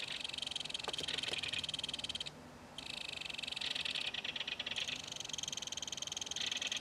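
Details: Belted kingfisher at its nest in a mud bank, adult feeding fish to its baby. Long, dense, rasping rattles run almost continuously, broken by one short pause near the middle.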